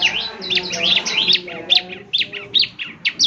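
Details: Young Bar-winged Prinia singing gacor, the kind of recording played at dawn to coax other ciblek into answering: jumbled high squeaky phrases, then spaced sharp chirps roughly every half second, with a low background drone.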